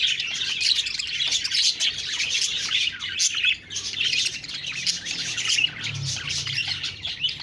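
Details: Budgerigars chattering nonstop in high, rasping twitters and warbles, briefly dipping in loudness around the middle before the busy flock noise resumes.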